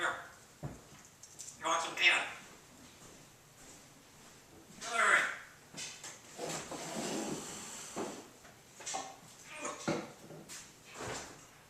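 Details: African grey parrot chatting indoors, asking about peanuts or popcorn, burping and saying excuse me: scattered speech-like phrases, with some higher, squeaky syllables and breathy sounds between bursts of talk.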